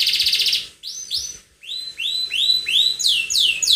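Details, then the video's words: Attacking song from a canary: a short buzzy trill, a brief silence, then rising swept notes repeated at an accelerating pace, each phrase clear and loud. "Kenari Gacor nyerang"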